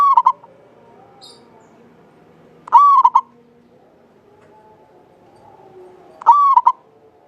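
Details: {'caption': 'Javanese local zebra dove singing vigorously, each clear phrase starting high and breaking into rapid rolling notes, three phrases spaced about three seconds apart over a quiet background.'}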